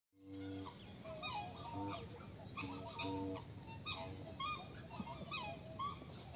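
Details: A male greater rhea with the chicks of his brood: short, whistled, slightly falling notes from several birds overlap irregularly about once a second over a low steady rumble.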